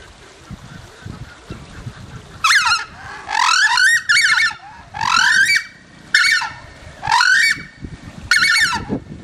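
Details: Southern screamer at Slimbridge giving loud, honking, trumpet-like calls with rich harmonics, each lasting about half a second, in a series of five paired blasts over several seconds against a low background rumble.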